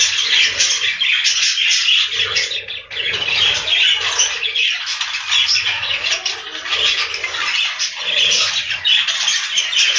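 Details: A packed breeding room of budgerigars on a farm produces unbroken, crowded chatter: overlapping squeaks and squawks that keep a steady loud level throughout.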